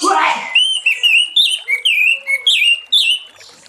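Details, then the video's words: Orange-headed thrush singing in the loud, open ngeplong style in the late afternoon, used to lure other thrushes into song: a short broadband burst at the start, then a run of clear whistled phrases, rising and falling, about eight in three seconds. "Anis Merah Ngeplong Sore Hari💥Pancing Anis Merah lain Cepat Bunyi"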